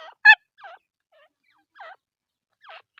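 A female Grey francolin gives short, harsh, falling notes: one loud opening note, then several fainter ones spaced about a second apart.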